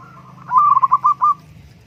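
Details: Zebra dove (perkutut) phrase of about six quick, bubbling coos on one pitch, evenly spaced and under a second in total, against a soft background hum.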